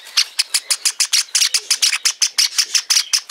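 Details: A hand-reared Java sparrow chick on a futon gives rapid, harsh, rasping chirps, about six per second in an unbroken run. No other sounds stand out.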